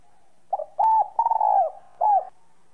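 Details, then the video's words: A spotted dove with a "son"-style voice, cooing to stimulate other caged doves, gives a short series of soft, hollow coos, the middle note longer and slightly falling, in a quiet room. "cu gáy giọng son gáy gọi kích bổi căng lửa"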